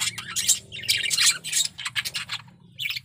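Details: Male budgerigar in breeding condition giving a loud, scratchy warbling chatter of squawky chirps and clicks, fading out briefly before a final short squeak.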